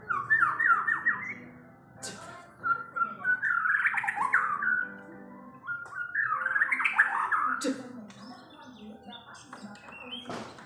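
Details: A White-rumped shama in an agitated, aggressive mood sings bursts of rapid, warbled phrases that rise and fall. Three main runs of about a second each are separated by quieter gaps, with a few sharp clicks and a low background hum.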